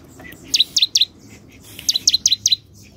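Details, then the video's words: Bar-winged prinia in full song: two quick bursts of sharp, high, slurred notes, three then five, each note dipping and rising, over a faint background hum. "Ciblek gacor"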